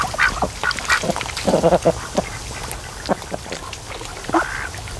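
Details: Lazy afternoon at a lake with a flock of 92-day-old raised ducks: bursts of harsh, clustered quacks early on, then sparser calls and a final drawn-out quack.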